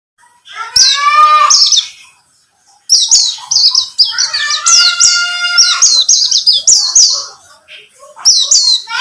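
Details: White-eye of the buxtomi type, used as a lure to coax other white-eyes into singing. High, sharp chirping and twittering phrases come in bursts, with a pause near the two-second mark. Lower, harmonic sliding notes are mixed in.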